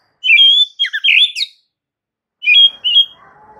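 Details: White-rumped shama song for stimulating stressed shamas: clear high whistles and a twisting, buzzy phrase, a pause, then two more bright whistled notes.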